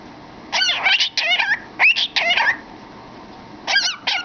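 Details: Pet cockatiel singing and chattering in a cardboard tube, rapid bursts of harmonic warbles and a clear rising whistle, ending after a pause with two short chirps.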